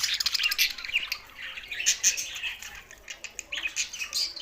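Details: Budgerigars keep up a lively, high-pitched chattering song, packed with quick squeaks, rasping squawks and short whistled notes, with no gaps.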